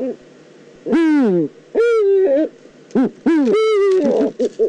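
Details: Eurasian eagle-owl recorded in the Eifel on 9 September 2014. Several rich, harsh cries, some falling and some level, are mixed with shorter clipped notes near the end. Loud and close.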